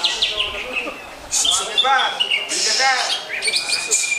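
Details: Greater green leafbird singing short bursts of bright chirps and a clear whistled note, alongside clear human speech.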